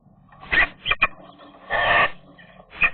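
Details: Eurasian magpies in late April, a breeding pair defending their spruce nest from a young intruding female: short, loud, rasping chatter notes, with a longer noisy harsh burst in the middle and a final sharp call.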